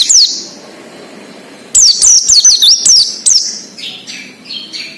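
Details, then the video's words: Oriental white-eye in its wild habitat, song played to trigger untrained caged birds: an opening high slurred whistle, a pause, then a long bright string of rapid descending notes fading into softer chirps. "PLECI NGALAS UNTUK PANCINGAN BUNYI PLECI BAHAN / OMBYOKAN"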